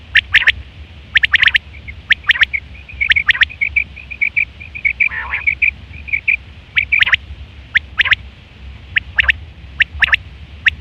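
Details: Quail call, September 2023, used for hunting and mating: rapid sharp notes in small clusters, with a continuous buzzy trill running through the middle and louder triple-note bursts near the end, over a low hum.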